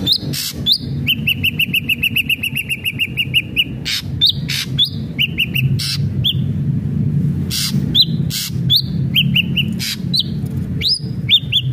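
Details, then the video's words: Lively ashy drongo song mixing a quick run of even whistled notes with rising slurred whistles and loud harsh rasping bursts, given in an irregular sequence over a steady low rumble. "SRIGUNTING ABU ABU GACOR"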